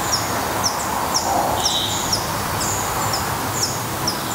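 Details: At a Black redstart nest in Portugal, regular high, slurred-down chip notes come about twice a second, plus one short mid-pitched whistle, against a broad hissing background.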